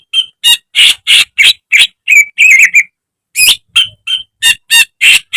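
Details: Greater green leafbird, caged, in a training song rich in copied phrases: harsh rasping bursts repeated about three times per second, interrupted by warbled whistles and a brief pause.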